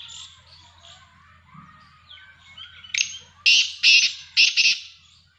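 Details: Black francolin: soft background chirps and whistles give way to a loud harsh series of grating notes, five bursts clustered in about two seconds.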